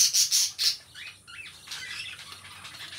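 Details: Two pet lovebirds kept as companions, giving loud, shrill, buzzy squawks in three quick bursts during the first second. Softer, thin chirps with short rising notes follow at a lower volume.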